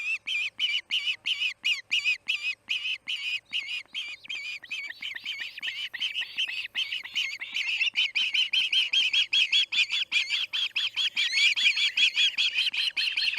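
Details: Osprey at its Charlo nest, August 8, 2018, late afternoon MDT, screaming in a long, urgent series of sharp whistled squeals, roughly two and a half per second, growing louder and more excited toward the end.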